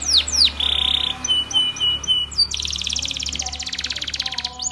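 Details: Spanish Timbrado canary in a training song, with two falling whistles, a buzzy held note and soft ticks followed by a fast, even pulsed trill, over a steady low hum.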